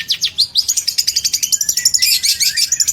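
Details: Long-tailed shrike singing dense high-pitched song meant as master material: a continuous rapid chatter of sharp notes, with a brief thin whistle in the middle.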